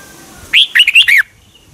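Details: Red-whiskered bulbul song recorded in Thailand for stimulating caged birds: one musical phrase of quick, liquid whistled notes rising and falling, lasting under a second against a low background hiss.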